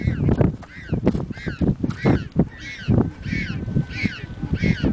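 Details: Penguin chicks at Punta Tombo, Argentina, screaming for food from their mother: loud overlapping braying calls with harsh repeated notes, several birds calling at once in a noisy colony.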